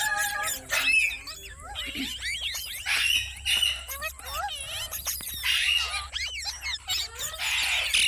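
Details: Pet talking parrot: bursts of sharp, squeaky whistles and chirps, rising and falling quickly, in clusters with short gaps, plus a low steady hum underneath.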